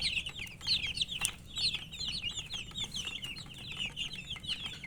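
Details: Thirsty baby chicks, colour-dyed poultry, calling for drinking water with many overlapping high, bright peeps in rapid succession, a continuous flock chatter over faint low hum and occasional sharp knocks.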